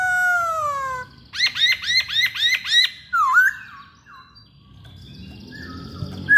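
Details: A Masked laughingthrush gives a long descending whistle, then a fast run of repeated arched chirps and a twisting squawky whistle, fading into quieter calls.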